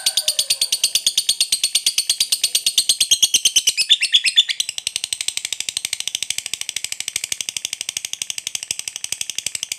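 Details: A fighter lovebird's long chattering 'ngekek', meant to stir rival lovebirds: loud rapid pulses of high rasping notes, softening after four seconds but continuing steadily to the end without a break.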